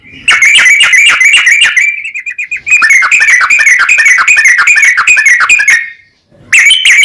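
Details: Yellow-vented bulbul song played as a lure to make other bulbuls sing: loud, rapid chattering phrases of bubbly notes near one pitch, a brief pause, then continuous warbling with short gaps.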